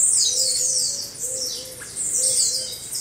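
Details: Several caged blue-black grassquits singing together, a group chorus used for training caged birds: overlapping high, buzzy, downward-sweeping notes, with a soft low coo repeating about twice a second beneath.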